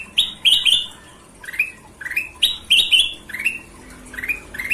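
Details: Golden-vented bulbul singing actively: short upward-sliding whistled notes in uneven bursts, some doubled and higher-pitched, about every second.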